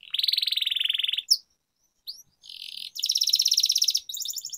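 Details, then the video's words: Long rolling canary song for training: an even, rapid buzzy trill of over a second, a pause with a couple of short chirps, then further fast rattling rolls. "Canary Singing Training, Kenari Gacor Ngerol Panjang"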